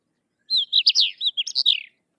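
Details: Single lively phrase from a Sykes's lark: a rapid string of slurred, swooping whistled notes lasting about one and a half seconds, ending in a short trill, against a silent background.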